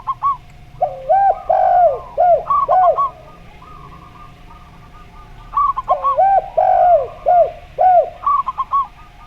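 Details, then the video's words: Zebra dove singing in the slow voice style alongside a spotted dove in the gayer style: bursts of arched, hollow cooing notes and quick clipped coo series, two song bouts separated by quiet pauses. "Perkutut Suara Slow VS Derkuku Gayer"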